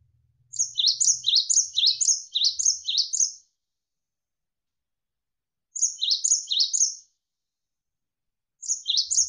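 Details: Cinereous tit (gelatik wingko) singing in bursts with pauses, for training cage birds: a long run of about eight rapid, high, repeated whistled phrases, then two shorter bursts after silent gaps.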